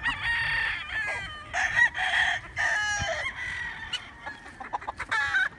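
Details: Several chickens and roosters crowing at wake-up time, long drawn-out harmonic crows overlapping one another, with shorter broken crows and clucks toward the end.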